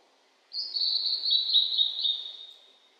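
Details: Blue-and-white flycatcher singing on a mountain in 2022, in the fresh green of spring, on a cloudy 14-degree day after the previous day's rain. A single high, warbling phrase lasts about two seconds and drifts slightly downward, over a quiet background.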